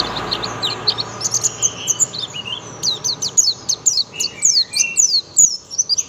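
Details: Shrill, rapid chirping from a young oriental white-eye in the 'tembakan' style, starting sparse, then building into a dense run of quick, high, downslurred notes toward the end.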